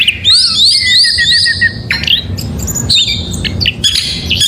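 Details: Oriental magpie-robin singing in the morning, a loud varied song of rising whistled notes repeated in a quick series, then sharp slurred phrases and high chirps, over a low steady background hum.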